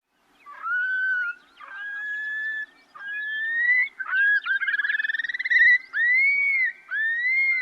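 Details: Long-billed Curlews chatting back and forth in their general call: a string of loud, rising whistled cur-lee notes with a quick bubbling trill in the middle.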